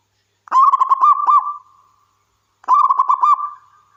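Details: Local wild zebra dove singing actively: two loud, rapid, bubbling trilled coo phrases, each about a second long with a drawn-out tail, roughly two seconds apart, in clean quiet surroundings.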